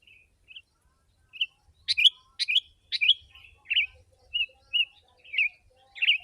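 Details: Sooty-headed bulbul song used to lure wild birds. Soft single notes build into sharp, rich chattering phrases, then give way to evenly spaced short warbled notes that continue to the end.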